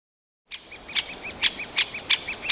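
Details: Great spotted woodpecker chicks, nearly fledged, begging from their nest hole in a Yekaterinburg forest park on 28 June 2018; a short run of arched chattering notes with sharp clicky bursts between them.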